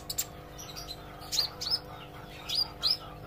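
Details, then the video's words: Olive-backed sunbird practising its song: a few isolated high, thin tweets with brief slurred upward notes, spaced unevenly over a quiet, humming background. "suara kolibri ijo belajar gacor & ngobra"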